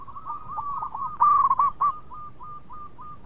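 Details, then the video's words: Local zebra dove, an eager sweet-voiced singer that draws others into calling, delivers a fast string of hooked cooing notes with a loud bubbling burst in the middle. "PERKUTUT LOKAL GACOR SUARA MERDU TUKANG PENGUNDANG BUNYI"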